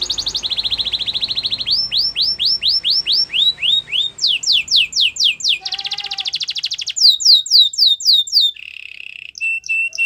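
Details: Belgian canary song used to train a silent canary: a rolling trill, evenly spaced falling whistled notes, a sharp high rattle, more quick sweeps, and a lower buzzing roll at the close.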